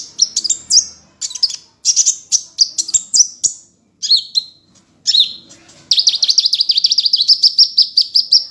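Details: Kolibri ninja sunbird from Indonesia, with varied high, metallic chirps and slurred downward notes in separate bursts, then from about six seconds a fast, even trill of high notes running to the end.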